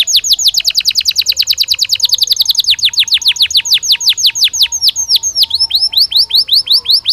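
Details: Belgian canary singing naturally: a fast, loud run of repeated high chirped notes in rapid trills, shifting between syllable types every second or two, with a faint lower whistled note running beneath.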